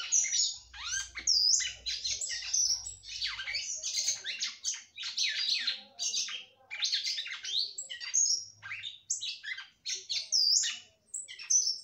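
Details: Female red-cowled cardinal kept by a breeder sings a long, nearly nonstop stream of high, scratchy chirps and slurred downward notes to excite the male, the phrases coming in rapid succession over about twelve seconds. A faint low hum is heard early on.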